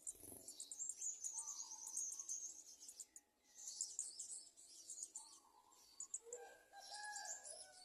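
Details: Garden sunbird chicks in the nest being fed by the adults. Thin, high chirps and trills crowd the first three seconds, stop briefly, then return in bursts to the end, over faint lower tonal notes.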